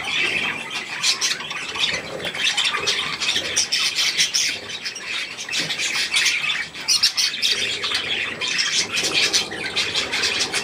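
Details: Young budgerigars with adults at millet keep up continuous high twittering, with sharp chirps, warbled squeaks and brief louder bursts layered over each other throughout.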